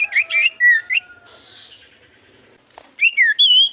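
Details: Lure recording of Javan white-eye song meant to prompt other birds to sing: warbled high whistles and a long buzzy note, a pause, then rising and falling whistled phrases.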